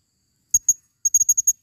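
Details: Forest lure recording of a female blue-crowned hanging parrot: two crisp, piercing high notes, a short pause, then a quick run of six similar sharp pips.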